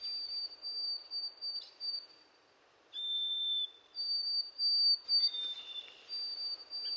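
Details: Long, sweet, level whistles from a White-throated Sparrow, held for over a second each, with a lower note midway and a brief burst of broken warbled notes before a final high sustained whistle.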